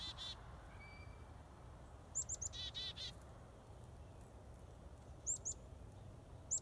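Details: Wild finch giving short, very high, sharp chirps in clusters of two or three, with a few buzzy lower notes between them and a steady low background hum.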